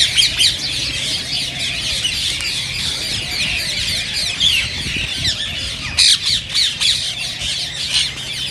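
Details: Rose-ringed parakeets, a sound meant to stimulate other parakeets to sing and mate: a dense flock of harsh, shrill screeches overlapping continuously, with a few louder sharp squawks near the sixth second.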